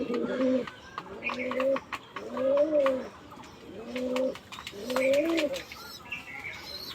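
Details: Pigeons courting: clear arched coos, each under a second, rising then falling, repeated about every second with brief gaps, accompanied by scattered clicks and higher chirps near the end.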